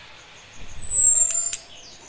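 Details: Single high, thin descending whistle from a female Orange-headed thrush calling the male when ready to breed, with two short clicks near its end.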